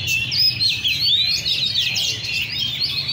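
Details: Caged Oriental magpie-robins at a bird cafe in Le Thi Rieng park deliver a bright, continuous tangle of high whistled notes and quick trills from several birds at once, background hum beneath.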